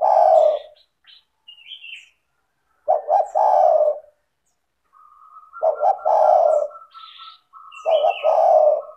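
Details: Spotted dove cooing as a lure for lazy doves: low hoarse double-note-and-drawl phrases repeated three times, while another bird gives high chirps and a steady warbling trill underneath the later coos.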